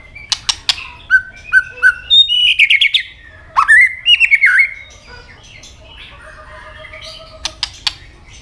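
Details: White-rumped shama giving a fighting song: sharp broadband clicks, short whistled notes, then rapid trilled phrases and a buzzy descending run, ending in quieter whistles and further clicks.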